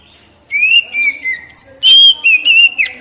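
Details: Oriental magpie-robin song played to encourage captive birds to sing: long wavering whistled notes that slide gently downward, then a louder bright whistle and more warbled phrases.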